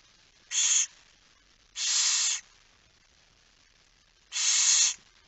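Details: Barn owl at the nest while being fed at night, 10 September 2019, 22:45. Three loud, steady, breathy hisses, each roughly half a second long, are separated by pauses of one to two seconds.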